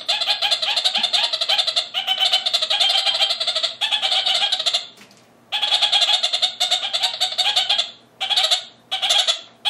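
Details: A male red-crowned parakeet in an aviary bleats and chatters at the male next door: grating bursts of quick, stuttering notes lasting one to two seconds, separated by short silences.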